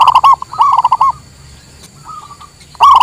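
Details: Zebra dove of local stock singing, used for luring wild birds and as a master song: quick stuttered coos in two bursts, a faint soft phrase after a pause, then a loud stuttering restart.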